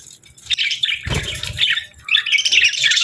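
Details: Pet budgerigars chirping cheerfully: dense, scratchy warbled chatter between two and six thousand cycles, rising and falling in bursts with a brief low thump near the middle, from several birds at once.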